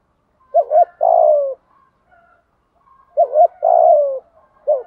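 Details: Decoy spotted dove cooing, 'thổ' voice, to lure wild birds: paired short hoots then a long, grainy, sinking coo, repeated after a gap of about two and a half seconds, ending on a lone hoot.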